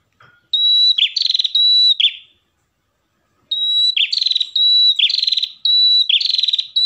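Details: Singing ashy tailorbird pair: repeated bursts of a pure high whistle running into rattling trills, a short cluster, a pause, then a longer run of several whistle-and-trill phrases.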